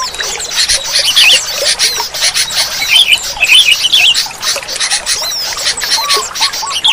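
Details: Sooty-headed bulbuls give bright, bubbling whistled phrases almost without pause over a dense chatter of many other birds, played to prompt silent bulbuls to sing.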